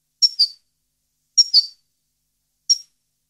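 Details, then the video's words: European goldfinch from a 2015 recording giving three short high call notes, two paired chirps then a single one, spaced about a second apart, clean background. "Goldfinch song 2015/ Canto Jilguero Parva 2015"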